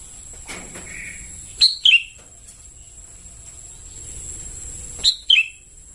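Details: Young sooty-headed bulbuls calling, played as a lure sound: a pair of short, piercing chirp clusters, the second burst arriving roughly three seconds after the first, with a thin constant high tone and soft rumble underneath.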